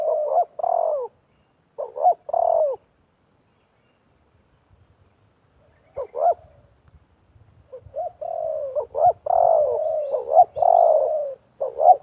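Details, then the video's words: Wild spotted dove and decoy dove calling against each other during trapping. Clusters of low slurred coos, a long quiet gap with faint rustling, then rapid overlapping coos from both birds. "TERKUKUR LIAR DAN PIKAT BERADU/BERLAGA HEBAT"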